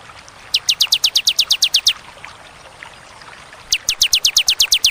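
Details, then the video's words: Bar-winged prinia (ciblek) in the clear, paused ciwah cigun 'tembakan' style: a fast burst of about fourteen high, sharply downslurred chips, a two-second pause, then a second matching burst. "Tembakan ciblek ciwah cigun sadis pedas jernih berjeda"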